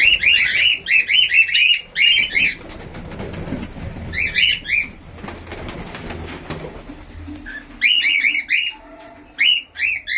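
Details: Albino red-eyed cockatiel calling in quick runs of shrill, rising-falling chirps, several per second, in bursts separated by short pauses with rustling and a low hum in between.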